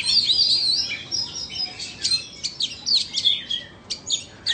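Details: Competing song of a Vietnamese and an Indonesian Oriental magpie-robin: high warbled whistles at first, then sharp separate chips and short slurred notes spaced under a second apart.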